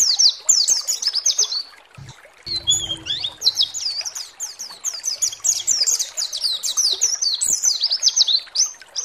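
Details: White-eye (pleci) singing on a provocation recording meant to stir other pleci into singing: rapid high warbled chirps and downslurred notes in dense runs, a brief pause with low rumbling noise near two seconds, then busy twittering resumes.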